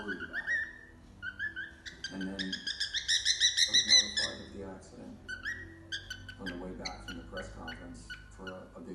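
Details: Young cockatiel chick in its first days of whistling, attempting tunes it knows such as "If You're Happy and You Know It" and "Opa Opa"; bright tonal whistled notes with rich harmonics, quick repeated phrases, faint background voices.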